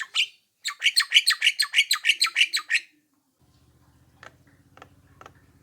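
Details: Javan myna used as a lure call to make other mynas respond, giving a fast series of about a dozen harsh, buzzy chattering notes, then a low hum and faint clicks.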